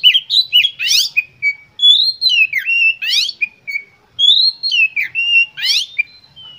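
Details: Oriental magpie-robin in full-emotion song, a lure meant to provoke other magpie-robins into singing; loud varied whistled phrases slide between notes, each broken by a rapid buzzy rising rasp, the pattern returning about every two and a half seconds.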